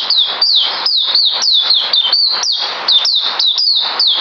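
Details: Kept white-eye singing, 9 December 2018, a fast chain of bright, high, down-slurred whistles, about four per second, loud and steady throughout.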